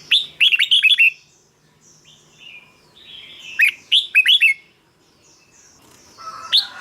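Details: Caged-bird stimulation recording of red-whiskered bulbul song, brisk phrases of five to six sweet, bouncing whistled notes, two phrases about three seconds apart, followed by a single rising note.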